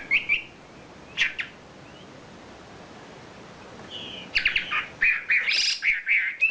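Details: Champion wambi bird singing isian fill-in phrases: a few isolated high chirps over steady hiss, then a lively burst of buzzy, slurred whistled notes repeated rapidly.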